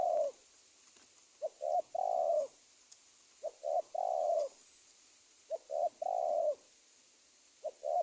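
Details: Spotted dove call used to lure wild doves into traps in Indonesia: low hollow coos in phrases of two brief notes and one long coo, about three phrases over eight seconds, faint hiss.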